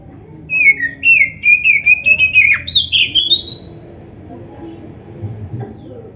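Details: Oriental magpie-robin song in champion fill-in style, played so other magpie-robins respond quickly: a steady string of about a dozen rising whistled and chirped notes over three seconds, climbing higher toward the end.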